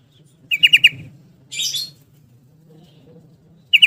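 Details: Yellow-vented bulbul singing in ropel style, a quick burst of four ringing notes, then a brief harsh rustling sound, then another burst starting at the end.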